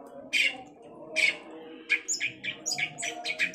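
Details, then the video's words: Long-tailed shrike, a few spaced harsh squawks followed by a quicker string of short scratchy notes. "Burung cendet gacor"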